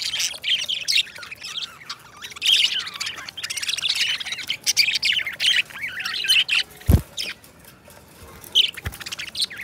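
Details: Two companion budgies sing and chatter in a long run of scratchy chirps and squeaks, with two sharp knocks of cage noise.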